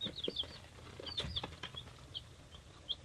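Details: Baby chicks three days old, mixed hatchery breeds such as Buff Laced Polish and Whiting True Green, give high falling peeps in quick bursts, with fluttering and shuffling noises and a low background hum.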